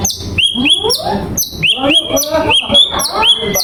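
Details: Fourteen-month-old white-rumped shama singing: rapid, loud whistled phrases with sharp upward-sliding notes repeated about every half second, layered with lower descending slurred notes and chattering, giving a dense overlapping bird chorus.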